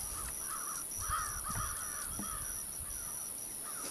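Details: Several American crows soaring, calling in quick, rough, slightly wavering caws, roughly two per second, with softer wind in the background.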